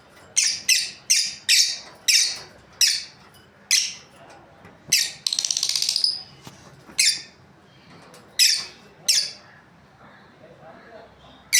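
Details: Breeding pair of lovebirds chirping: a string of about fourteen sharp, shrill, high-pitched chirps at uneven intervals, broken by one brief buzzy rattling call midway, with a quiet background.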